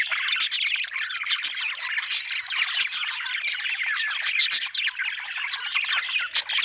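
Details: Happy budgie keeping up a steady, busy warble, scratchy and chattering, studded with sharp clicky chips every second or so.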